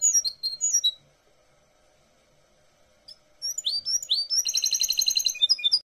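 Goldfinch hybrid singing high, thin twittered notes, then after a pause a fast run of repeated bright, ringing phrases copied from a great tit's song.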